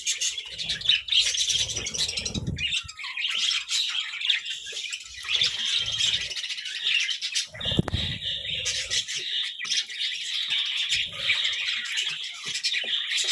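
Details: Budgerigars kept as pets chatter continuously during a vegetable meal, overlapping high warbles and squeaky chirps with occasional louder squawks, plus low thumps and pecking sounds from feeding.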